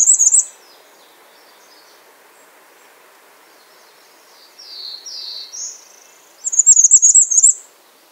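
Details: Calling bay-breasted warbler: a brief high burst, a long pause, a few lower slurred notes, then a rapid, evenly pulsed series of very high, thin notes lasting about a second.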